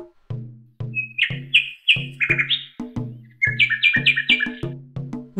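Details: A common nightingale (Luscinia megarhynchos) sings rich, slurred whistles in quick repeated phrases over a steady musical beat.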